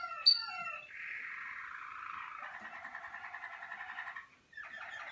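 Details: Malinois Waterslager canary on an early training outing in its song cabinet. A sharp high note opens a long, low, bubbling roll lasting about three seconds, then a brief pause before the song resumes.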